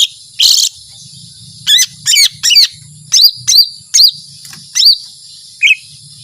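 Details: A lesser green leafbird pours out 'tembakan panjang' long-shot song: one harsh burst, then clear looping whistled notes that rise and drop, spaced about half a second apart, over a faint hum.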